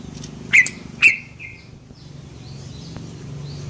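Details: Yellow-vented bulbul, offered as a lure sound: two sharp, loud notes half a second apart, each starting high and dropping into a short flat tail, over a low steady background hum.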